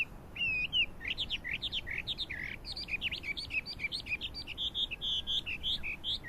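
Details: Chinese hwamei song from 12 April 2009: varied loud whistled phrases, downslurred and looping notes changing every few beats, delivered rapidly without pause.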